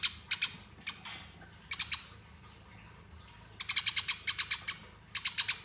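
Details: Master-training fighting song of a Eurasian tree sparrow: scattered single and paired shrill chirps, then a dense rolling burst of about ten rapid notes, followed by a shorter run.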